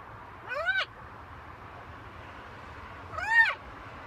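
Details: A talking macaw kept as a pet on a balcony gives two separate raspy, rising-then-falling squawks about two and a half seconds apart, over a steady low hum.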